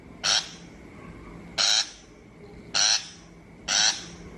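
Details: Rasping shrike calls meant as a lure for trapping birds: four evenly loud, scratchy notes roughly one to one and a half seconds apart, over a low steady hum.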